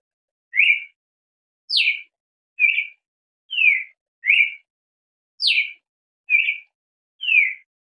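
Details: Red-crested cardinal singing: eight short, clear whistled notes spaced about a second apart, alternating brief slurred phrases with sharper downward-sweeping whistles. The background is silent.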